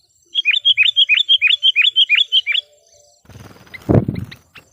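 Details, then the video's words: Sooty-headed bulbul used as a trained decoy bird to call wild bulbuls: a rapid run of about twelve bright, clipped whistled notes, each dropping sharply in pitch, then a burst of rustling and a low thump. "suara burung KUTILANG PIKAT gacor/suara PIKAT KUTILANG gacor memanggil kutilang liar"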